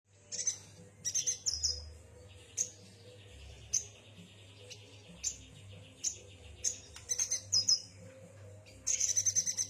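A yuhina gives short, very high, sharp chirps in quick bursts, about one every second, over a steady high buzzing and a low hum.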